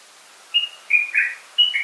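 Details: Common bulbul giving four quick, mellow whistled notes in two short bursts, the middle note lower and fuller.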